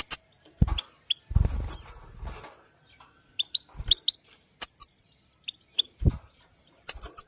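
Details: Goldfinch called Maike, a Himalayan bird, producing crisp high chip notes, some doubled or tripled in rapid runs near the end, mixed with bursts of low rustling and thudding sounds.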